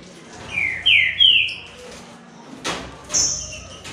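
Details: Green-winged saltator, one of a trio of singing males, gives three loud, clear, downslurred whistles in quick succession, then a sharp click and a thin high note.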